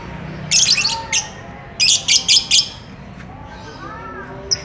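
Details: Lovebird in courtship, wanting to mate: a short burst of scratchy high chirps, then a quick run of four clipped, strident notes, followed by near silence with a faint low murmur and one last tiny chip.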